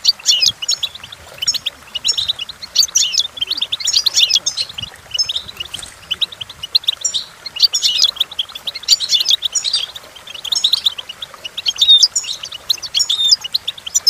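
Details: Goldfinch singing, used for teaching young goldfinches to sing: continuous bright twittering phrases of quick high notes, bursts recurring every second or two.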